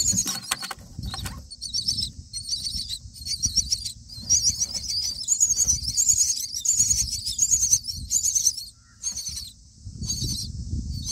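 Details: Baby mynas in the nest on day nine, fed black crickets by a parent, make rasping wheezy begging bursts repeated in choppy pulses, over low rustling and scuffling in the nest.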